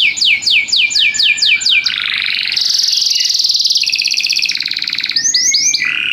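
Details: Rhythmic canary song opening with evenly spaced descending sweeps, followed by a long buzzy, grinding trill and a few closing whistled slurs.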